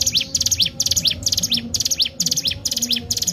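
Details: Ciblek gunung, or Sunda warbler, singing energetically as a training lure: rapid clusters of sharp high chirps ending in a sweeping upslur, repeated steadily, with a faint low hum underneath.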